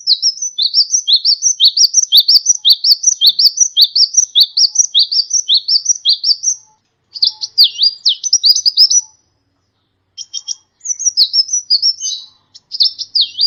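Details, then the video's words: Kolibri ninja tutor song for training songbirds: a fast, regular run of high, sharply descending chirps, about seven seconds long, followed after a pause by broken bursts of twittering notes. "masteran burung gacoan, Kolibri"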